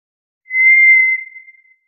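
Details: A White's thrush gives a single clear, sustained whistle at one high pitch, lasting about a second before dying away quietly. No background sound is present.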